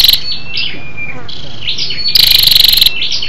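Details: Female Scarlet-backed flowerpecker calling to stimulate males, used as a lure recording: thin, high whistled slurred notes, then a single rapid buzzy rattling trill lasting under a second.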